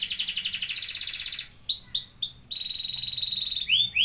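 A canary sings a fast, high buzzing trill, then a run of swooping whistled notes and a long, steady rolling trill, with no other sounds.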